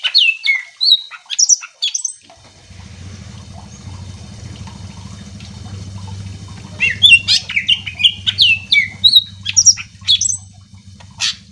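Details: Greater green leafbird singing, played to provoke other leafbirds into answering: lively whistled and slurred notes in quick varied phrases, broken by a few seconds of low humming before the song resumes strongly.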